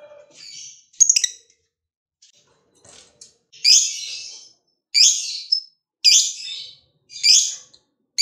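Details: Lovebird of the fighter type, played to trigger other lovebirds into singing; harsh, buzzy chattering bursts, each about half a second long, repeated roughly once a second after a few softer scratchy notes.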